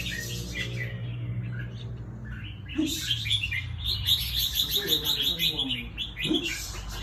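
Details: Red-whiskered bulbul, a caged competition bird in Thailand, singing: after a quiet stretch, a run of quick bright chirping notes and warbles repeated rapidly, with a man's voice and low hum in the background.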